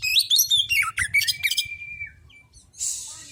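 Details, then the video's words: Male white-rumped Oriental magpie-robin song played to prompt other magpie-robins to sing: a loud, rapid jumble of high whistles and chattering notes, a long drawn steady whistle fading out, then a burst of hissing noise. "Suara burung Kacer"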